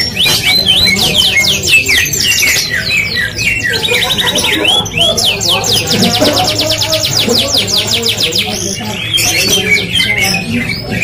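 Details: Vigorously singing F1 canary delivering a long continuous song of fast high trills and sweeping notes, tempo changing between phrases, a rapid even trill in the middle, against constant low background noise.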